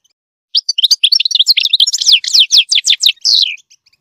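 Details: Goldfinch singing to teach its chicks: a fast, bright twittering run of high chirps and trills, ending in a longer downslurred buzzy note, with no other sounds.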